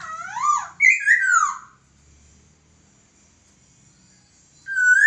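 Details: Laughingthrush master song for training birds, with looping rising-and-falling whistles and a bright downslurred phrase, a quiet pause, then a steady whistled note at the end.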